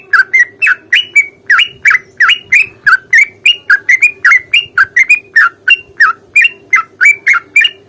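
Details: Long ropel-style fighting song of a sooty-headed bulbul, meant to lure a reply: a rapid, unbroken run of about twenty-five short, bending chirps at a brisk, slightly uneven pace, with a constant electrical hum beneath.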